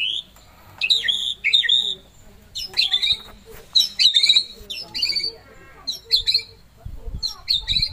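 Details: A pet white-rumped shama (Copsychus malabaricus) sings rich, varied whistled phrases with rapid trills and chattering notes, in bursts every second or so; faint low background noise beneath.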